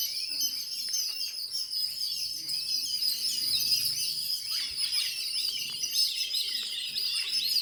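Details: Several birds kept at home chirp without pause, producing a busy wash of high, squeaky twitters and short trills throughout.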